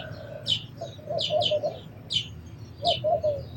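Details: Sharp sparrow chirps come singly and in quick doubles about every half second. Softer, lower mellow notes run beneath them, and a steady low hum fills the background.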